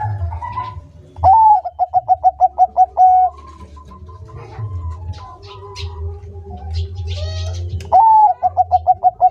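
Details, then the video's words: Bangkok-type zebra dove singing actively: two phrases, each a rising opening note followed by about ten quick, clipped coos and a drawn-out final note. Faint chirps and a steady low hum sit underneath. "Perkutut bangkok gacor"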